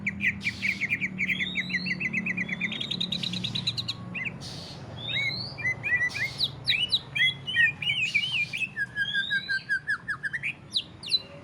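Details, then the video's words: Ngentrok song of a greater green leafbird, used to stimulate rival leafbirds into singing: opens with a rapid series of repeated short notes, then shifts to varied whistles, wavering slurs and scattered sharp chips. "CUCAK IJO NGENTROK | CARA PANCING BURUNG CUCAK IJO SUPAYA GACOR | SUARA MEWAH"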